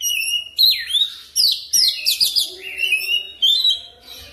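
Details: Kacer, or oriental magpie-robin, pancingan lure song for quick ngerol singing: a rapid run of varied phrases with sweeping whistles, sharp chips and rising and falling slurred notes, almost without pause.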